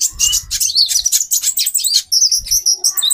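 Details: Female olive-backed sunbird calling to arouse a male's mating drive: a dense, rapid stream of thin, high chirps and short twittering notes, briefly pausing near two seconds, with faint low thumps.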